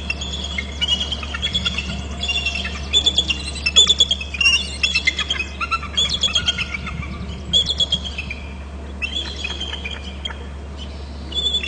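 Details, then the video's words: Two bald eagles fly across their nest territory on Hornby Island, calling: a series of thin, high, piping chirps and chattering squeals repeated in bursts, over a steady low hum. "both eagles from low left to lower right bst and calling"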